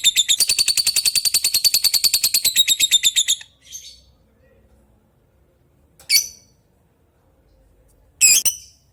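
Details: Lovebird calling an opponent with a fast rattling ngekek trill of high, buzzy pulses lasting about three seconds, followed after a pause by two isolated sharp squeaky chirps.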